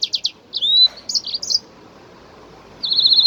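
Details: Jasmine bird (kokret) song used to encourage other birds to sing: a few quick high notes, a rising whistle and slurred phrases, then a silent pause before a fast, rattling trill starts.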